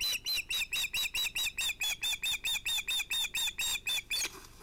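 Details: Osprey at a nest on a Finnish live nest camera, evening fish delivery at sunset, 11 August 2018, female with two ringed chicks: a rapid run of about twenty sharp, high whistled notes with a slight rise, evenly repeated, then a brief rustle.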